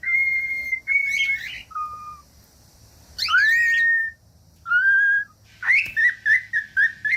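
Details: Whistled cockatiel song for training young or quiet birds: steady level whistles alternate with harsh buzzy chirps, then a run of short rapid whistled notes at the end.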